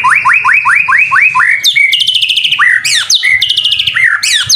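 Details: White-rumped shama in a training (masteran) recording, singing actively: seven clear rising whistles repeated in quick succession, then varied loud phrases mixing high sweeping notes, slurred whistles and sharp bright flourishes.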